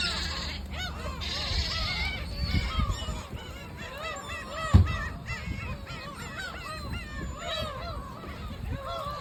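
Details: Seagulls at the sea crying together: a chorus of repeated rising-and-falling yelping calls overlapping without pause, with a constant deep surf-like rumble and one sharp knock midway.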